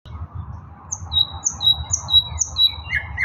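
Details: Nightingale singing, recorded 16 May 2024: a series of short, clear high whistles repeated about twice a second, ending in lower slurred notes, over a steady low rumble.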